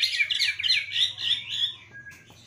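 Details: White-rumped shama in full song with luxurious fill-in phrases: a dense, fast run of high chattering and twittering notes that fades after a second and a half, then a brief thin whistle.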